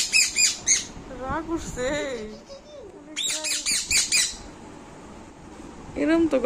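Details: Small pet Indian ringneck parrot, angry and scolding, mixes short harsh squawks with rising and falling whistled notes, a second burst of rasping calls midway, and a final squawk at the end.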